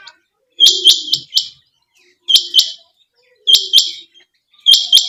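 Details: Female quail giving clipped, high-pitched notes in groups of two or three, each burst about a second apart with silent gaps between, clean and close.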